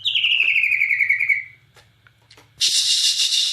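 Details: Bornean white-rumped shama in vigorous song, imitating cililin phrases: a long rattling trill gliding steadily downward for over a second, a short pause with faint clicks, then a loud harsh hissing burst.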